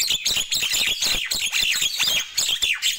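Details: Nias hill myna in the morning, giving a dense, unbroken run of high chirping and squeaky whistled notes with fast bursts throughout the three seconds.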